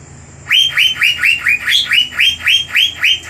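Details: Asian fairy-bluebird (cucak biru) lure song, 'gacor' style, fierce and meant to agitate rival birds. After half a second of quiet, ten even, ringing notes follow, each sliding up then dropping, about three per second.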